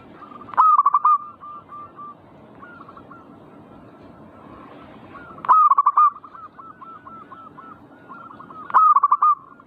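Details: Perkutut, or zebra dove, repeating its song to stimulate other birds: three loud phrases of stuttered rolling coos, roughly every four seconds. Fainter dove phrases fill the pauses.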